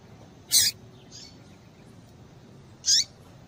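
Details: Calling female seedeater, used to stimulate males: a loud, sharp high chirp, a faint softer note, then another downward-sliding chirp over two seconds later; background otherwise quiet.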